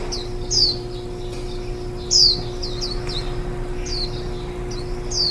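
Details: Warbling white-eye adults tending nestlings on their tenth day in the nest, a day before they fledge, recorded 23 July 2018; bright, thin, downslurred chirps in quick clusters, one louder note roughly every two seconds, low background hum.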